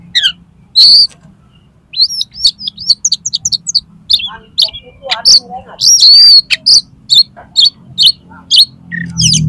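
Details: Oriental magpie-robin pouring out its learned song material while challenging another magpie-robin to fight, tail fanned: a rapid, varied run of sharp high chirps, slurred whistles and loud bursts, densely packed with a few short pauses, and a low hum beneath.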